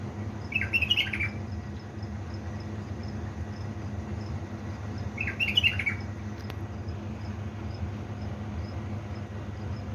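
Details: Pet bulbul of Baladruz, Diyala, heard at 3 am giving two short, fluty chattering phrases about five seconds apart, with a continuous low hum underneath.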